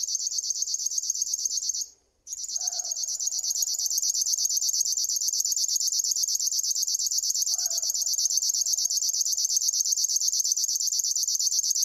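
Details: River warbler song, a mechanical, cricket-like reeling of fast regular high-pitched pulses that stops for a brief gap near the start, then runs on steadily; faint lower notes sound twice behind it.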